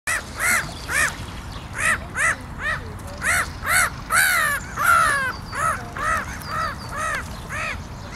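Black-headed gulls give harsh, nasal arched calls, roughly two per second, with several birds overlapping midway through.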